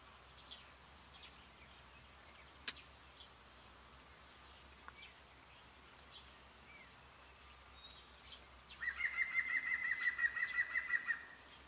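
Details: A European Green Woodpecker on 25 April 2018, heard near a woodpecker hide in Italy where a Tawny Owl was visiting, gives a loud, laughing run of about fifteen quick ringing notes, slightly falling, after a quiet stretch with faint distant chirps.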